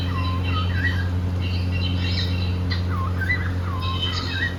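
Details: Cockatiel singing happily while playing, with quick dipping whistles and bright, buzzy chirps rich in overtones, repeated several times a second in short bursts, over a steady low hum.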